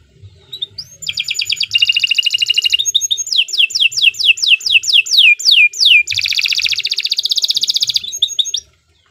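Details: Canary in full song: rising whistles lead into a buzzy rolled trill, a long series of descending sweeps, then another loud buzzing trill and quick notes before it stops; faint low background sounds.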